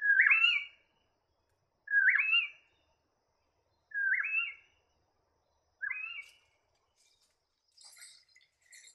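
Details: Lord Howe Woodhen on Lord Howe Island giving four loud, harsh, rising shrieks, about one every two seconds, followed by faint high chirps from other birds.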